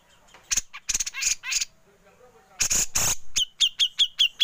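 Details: Grey-cheeked bulbul in a besetan song that continues into the ngepik style, made as a training recording for songbirds: harsh, broadband rasping bursts, then a run of short, sharp high notes repeated about five times a second.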